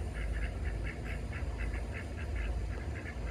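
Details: Pekin ducks socializing on a lawn in Oviedo, Florida: a steady run of short nasal quacks, roughly four per second, over a heavy low rumble of background noise.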